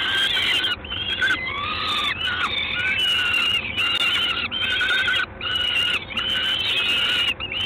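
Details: Evening calls of a Peregrine falcon in Gdańsk, 3 June 2016, 19:47. A run of loud, grating, wailing notes of varying length, some wavering in pitch, separated by short breaks, over constant background hiss.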